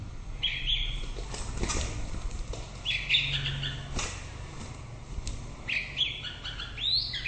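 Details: Short whistled song phrases from a white-rumped shama, delivered roughly every three seconds, each a quick bright cluster of notes, with steady low background noise throughout.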